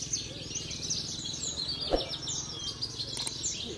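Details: Javan bush lark, a Parva-type contest bird from Cilacap that keeps winning trophies at weekly singing contests, pours out a dense, high, buzzy stream of rapid chirps and trills without pause; a low hum and a single sharp knock underneath.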